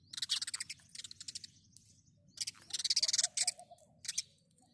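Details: House sparrow chirping in quick, dense bursts of sharp high chirps, several runs of rapid notes separated by short pauses, with a faint low rumble beneath.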